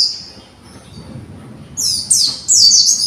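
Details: Young white-eye kept for conservation practising its song: near silence, then three loud, high, descending chirped slurs at the end.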